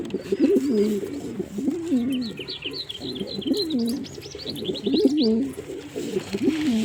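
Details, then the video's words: Male pigeon delivering bouts of low, gurgling coos, each dipping and rising, about once every second or two, while small birds add quick high twittering chirps in the middle. "Pigeon Sound Effect"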